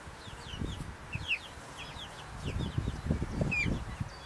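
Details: Several Buff Brahma chicks, only four weeks old, give thin, high, slurred peeps at irregular intervals above low rustling and scuffling noises.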